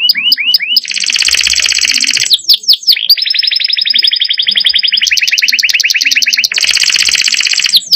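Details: Canary song with varied content: opening quick upward chirps, then dense buzzy trills, swept whistled notes, and a long steady rolling trill that changes pitch partway before returning to buzzy rolls.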